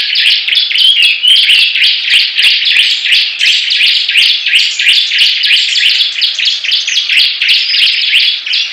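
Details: Bar-winged prinias competing in song, rapid high chirps repeated about three per second in a continuous, overlapping chorus with sharp ticking sounds above.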